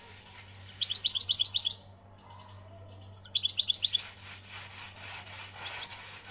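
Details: Two short bursts of quick, high, tinkling twitters from an Algerian European goldfinch, about four notes a second, separated by a pause of over a second; faint chirps and low hum follow.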